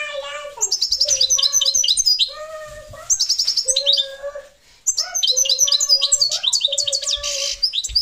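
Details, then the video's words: European goldfinch (parva) giving repeated bursts of fast, high, jingling twitter, interwoven with long, low, even whistled notes that recur between phrases. "Chardonneret parva"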